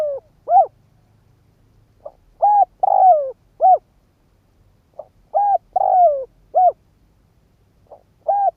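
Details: Spotted dove used as a decoy, cooing to excite wild doves. Three repeated phrases of mellow, low-pitched coos: a faint pickup note, a short arched coo, a drawn-out descending coo, and a closing short coo. Background otherwise silent.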